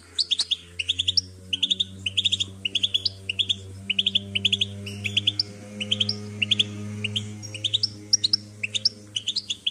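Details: European goldfinch song, played to stimulate a bird to sing: rapid bursts of bright, high twittering chirps and trills in quick clusters throughout, over a steady low hum.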